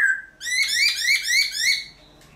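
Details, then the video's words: Black-throated laughingthrush singing at dawn for training other birds: a clear whistle leads into a rapid rippling series of rising, rich, harmonic notes lasting under two seconds. "Luyện Khướu Bạc Má Hót Sáng Sớm Kích Chim Khướu Căng Lửa Hót Giọng Rừng"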